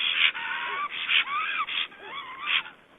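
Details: Black stork in Estonia, 2012, coming back to its newly hatched chicks: loud, wheezy, drawn-out calls with gliding, dipping tones repeated three or four times, each about half a second long, close and strong.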